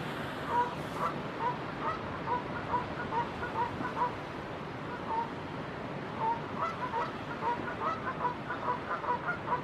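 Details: Two Canada geese honk in an overlapping exchange of short nasal notes, several a second, over waves rolling into shore on a Pacific coast morning in West Vancouver, British Columbia.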